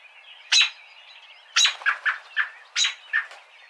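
An American robin gives three sharp, high 'peek' notes about a second apart, each trailed by softer, lower 'tut' notes, over a steady faint hiss.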